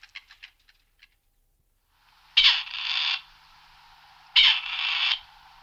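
A grey partridge gives two harsh, rasping, creaky calls about two seconds apart, each starting with a sharp grating note. A few faint ticks come before them.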